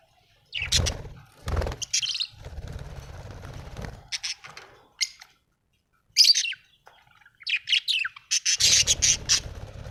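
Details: Happy budgerigar producing scattered sharp chirps and then a fast run of clicky, buzzy notes at the end, interrupted by low thumps and bursts of rumbling noise.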